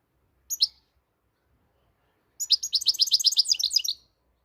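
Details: Moroccan European goldfinch song: a short opening chirp, then after a pause a fast run of bright, tinkling, twittering notes about four per second, high and clear against near silence.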